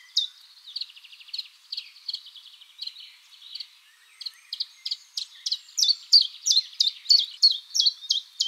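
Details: Common chiffchaff singing in a spring forest as a mating call: a steady series of high, sharp two-pitched notes, about three per second, growing louder and more regular in the second half.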